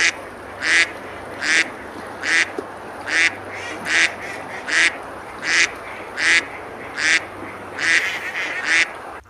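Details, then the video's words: Ducks on a river at Besalú, Girona, Spain, on a summer day, eating and splashing; harsh, nasal quacks repeat steadily about every 0.8 seconds, eleven in all, over a constant rush of water. "Ducks quacking, eating and splashing on the river"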